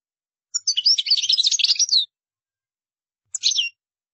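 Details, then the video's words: Qdara-style song of a European goldfinch: a lively one-and-a-half-second rush of high, tinkling notes and trills, followed after a pause by a short chirping phrase. "تغريد مقنين قدارة"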